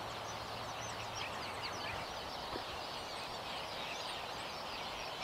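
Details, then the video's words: At dawn on Midway Atoll, under a setting full moon, white terns dancing in pairs over ironwood trees fill the air with a dense chorus of harsh, buzzy chattering calls from many birds, over a steady low rush. "White Terns at dawn"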